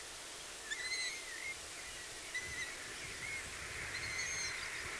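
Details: Long-eared owl chicks, at least two if not three, heard on an evening outing on an island, giving thin, high, squeaky calls a second or so apart, answering each other over a steady hiss of night noise.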